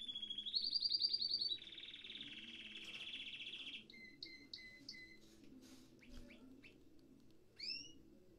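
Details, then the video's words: Red factor canary singing: a loud steady trill rising in pitch, then a lower buzzy rolling trill, followed by separate clear two-part whistled notes and short upward chirps, with low background murmur. "كناري الريد فاكتور"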